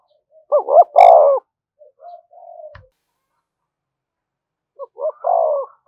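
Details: Urging coo of a spotted dove for exciting decoy birds: a clipped double note into a long falling coo, quiet murmurs, a click, then the same phrase again.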